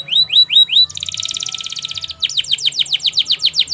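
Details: Canary training song, possibly Spanish Timbrado style: four rising whistled sweeps, a rolling metallic trill, then a steady series of loud downward-sweeping notes about four per second.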